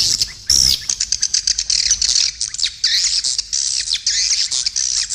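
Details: Edible-nest swiftlet lure call for attracting swiftlets to feeding areas and flight paths, stereo mix with supporting sounds: dense, overlapping high twittering chirps and buzzy rattles, with a brief sharp whistled upslur near the start.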